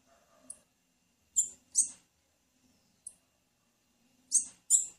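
Blue-black grassquit female giving short, thin, high chips, single and in quick pairs, about every second or so, with faint low hum beneath.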